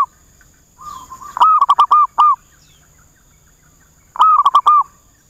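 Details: Lure zebra dove kept for trapping, calling back at rivals: loud rapid strings of five or six ringing cooing notes, each arched in pitch, delivered in two bursts after a softer lead-in coo.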